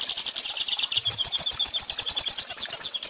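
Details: Pintassilgo (hooded siskin) singing, recorded for teaching young birds to sing: a fast, continuous high twittering of rapid buzzy notes and trills, with several bright whistled accents repeating at a quick, steady pace.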